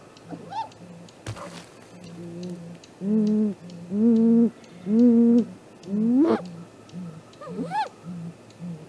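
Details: At a great grey owl nest on an April 2018 morning, loud drawn-out whoops swell and rise one after another, about one a second, over a continuous low pulsing hoot series, with a sharp thud and camera clicks.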